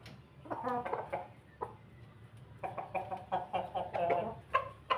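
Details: Feeding Pelung rooster with a laughing crow of rapid, clipped, chuckling syllables in two uneven bursts, separated by a short pause, with a faint low hum behind.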